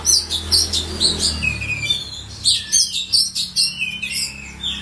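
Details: Oriental magpie-robin (kacer), a kept songbird from a collection, singing loud, varied high whistled and chattering phrases, each burst about half a second long, repeated in quick succession with short gaps; a low hum runs underneath.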